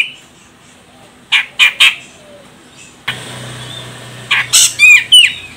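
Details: Female grey-cheeked bulbul of the Medan, Sumatra type, calling as a lure to make a male sing: three harsh, buzzy notes, then a pause and a hum, then a second group of rasping and slurred notes.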